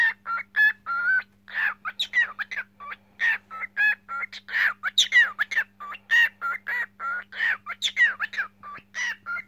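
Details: Cockatiel singing indoors as a pet, long run of varied whistles, warbles and harsh chirps in quick succession, some notes bending upward, a low electrical hum throughout.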